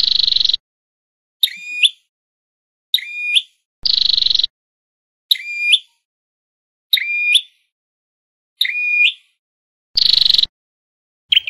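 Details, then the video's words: A red-headed flowerpecker's call, used as a speaker lure for trapping, gives sharp, ringing chip notes about every one and a half seconds, broken at intervals by harsh buzzy bursts. "Giọng Chuẩn Bẫy Loa Chim Sâu Đầu Đỏ"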